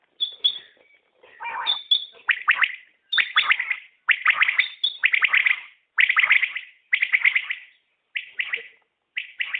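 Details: Repeated common quail call, a rapid three-note liquid phrase delivered about once a second in a steady series, opened by a few thin high whistled notes.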